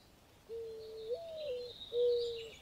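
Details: Mourning dove while babies are being fed: a low, breathy coo rises into a higher note and falls back, followed by one more flat, mournful coo. Faint high chirping is heard behind it.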